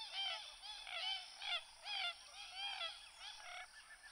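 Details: Loud Common gallinule cackle: a rapid string of nasal, clucking notes, some downslurred, repeated roughly every third of a second, weakening toward the end.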